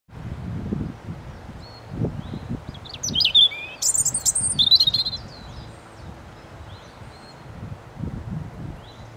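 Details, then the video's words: European robin singing: a burst of high, thin, varied warbling phrases in the middle, with quick twittering notes and sliding whistles over a low rustling, breezy background. "Robin Red Breast's song"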